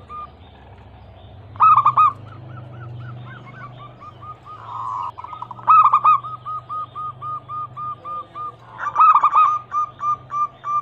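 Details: Local zebra dove (perkutut), a female calling a male, used as a lure to make silent doves sing and for trapping. Three loud, rolling cooing bursts near two, six and nine seconds, each trailed by a string of soft, evenly spaced coos, over a low hum.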